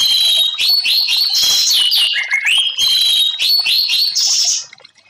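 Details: Orange-headed thrush (anis merah) kept as a cage bird, sung for therapy of stressed birds: a continuous loud stream of rapid high whistles, chirps and downslurred notes, repeated about four per second, ending abruptly in silence.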